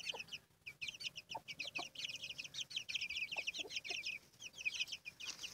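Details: Hen with chicks: nearly nonstop chorus of shrill, high chick peeps, fast and overlapping throughout, with scattered low soft clucking underneath.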